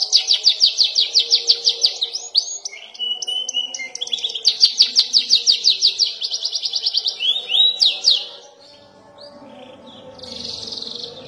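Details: Young canary practising long rolls and sharp bursts: fast repeated high chirps, a short whistled note, another rolling run of syllables, then quieter trailing notes near the end.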